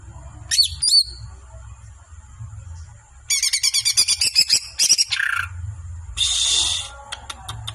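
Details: Songbird kept by a bird-song hobbyist: a sharp sweeping whistle, then a fast rattling trill of repeated notes, a lower nasal phrase, a harsh buzzy burst and a few clicks, over a faint low hum.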